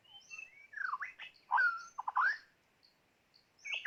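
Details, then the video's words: Decoy white-rumped shama used for catching birds, pouring out a lively jumble of fluty whistles, quick downslurs and rapid stuttered notes, then a pause before a fresh burst of bright phrases. "ต่อนกกางเขนดง ตัวนี้สุดยอดจีงๆ"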